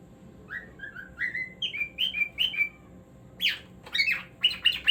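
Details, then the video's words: Cockatiel singing at home: a sequence of rising clear whistles climbing step by step, then shifting into louder downsweeping squawks and a fast run of buzzy chirps. "Cockatiel Singing Moments"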